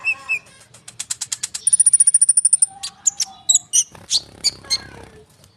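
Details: Common iora in rolling song, used to lure young sunbirds into answering. A steady series of rapid repeated notes builds into a high, even trill, followed by scattered sharp whistled chirps.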